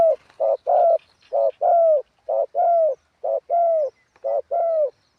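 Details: Spotted dove used as a ground decoy, with a wild-style cooing voice: low hollow coos in pairs, a short clipped note then a longer gently falling one, repeated about once a second with a steady rhythm.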